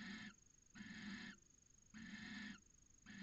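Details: Barn owl pair in their nest box in Cabañeros National Park, Spain, copulating from late January; three rough, wheezy screeches of around half a second follow one another at steady intervals over faint electrical hum.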